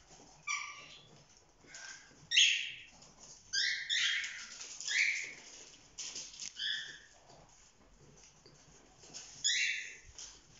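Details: Cockatiel youngsters past four months of age romping as a group, giving short raspy chirped calls in separated bursts roughly every second or two, some louder and sharper, with faint background rustling.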